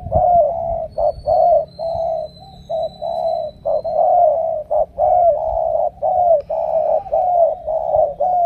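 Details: Spotted dove from Ca Mau, a field bird picked for powerful cooing, giving near-continuous mellow coos in rapid runs, a faint thin whistle-like tone drifting above early on.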